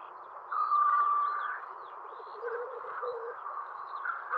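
A capercaillie and black grouse hybrid gives a hoarse, drawn-out nasal note followed by rougher, grating croaks over a steady background hiss.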